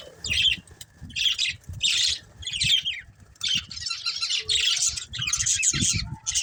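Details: Budgies chirping: repeated bursts of buzzy, high-pitched chatter roughly once a second, merging into a longer warble, over a soft low background rumble.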